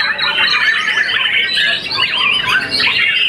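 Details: A champion white-rumped shama, young and past its first moult, sings loud, looping whistled phrases with wavering, slurred notes, squeaks and fast chips run together without a break.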